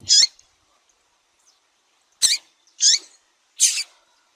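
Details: Female double-collared seedeater call used to stimulate males kept by tournament breeders; one bright chirp, a pause of two seconds, then three high buzzy chirps spaced about half a second apart in a quiet setting.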